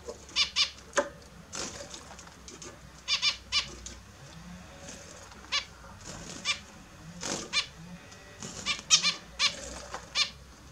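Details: Australian zebra finches kept as pets, bathing in the morning; repeated nasal honks in irregular twos and threes throughout, some clipped and faint, with low indoor hum underneath.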